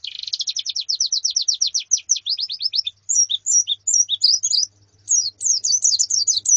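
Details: White-eye colony and female calls for training a male's song: a fast rattling series of uniform high chirps, then jumbled falling whistled notes from several birds, with a faint low hum.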